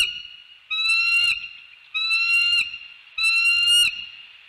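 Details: Bald eagles mating at a northeast Florida nest, the male surprising his partner; three loud, high, thin piping calls about every 1.2 seconds, each a drawn-out squealing whistle with a rough, chattering edge.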